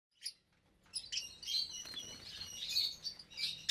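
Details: Colony of about 25 caged lovebirds, parblue, euwing, opaline, lutino and albino, in an aviary at meal time, January 2023; dense high shrill chattering builds after a brief chirp and silence, overlapping calls continuing to the end.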